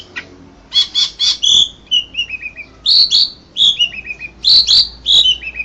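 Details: Asian pied starling champion of an Indonesian singing competition, 2014, alternates bursts of bright buzzy notes with soft descending whistled trails, repeated in similar phrases.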